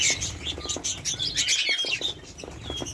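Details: Several budgerigars chattering: dense, high, twittering warble with quick chirps and scratchy notes running together throughout, plus soft low clicks beneath.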